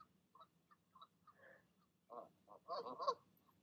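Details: Goose parents coaxing goslings to leap from the nest at evening: soft scattered grunts and short notes that build into louder harsh honks at the end.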